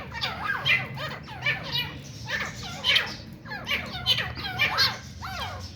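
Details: Fighting grey francolin, also called teeter or grey partridge, giving clusters of rough, wavering squawks in quick bursts against a fairly loud, noisy background.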